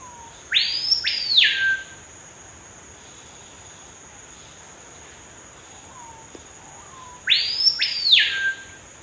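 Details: Screaming Piha in a banana plantation in Amazon rainforest, Roraima, Brazil, gives two very loud, ringing whistled calls about six seconds apart, rising notes ending in a whip-like crack, over a steady high insect drone.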